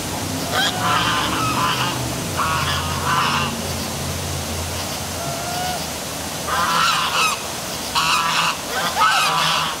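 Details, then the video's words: Geese calling on a dark night beside a downtown waterfall at City Hall in Milford, Connecticut; several harsh nasal honks in bursts, with steady rushing water and low traffic rumble beneath. "Dark Night Geese Calling by Waterfall"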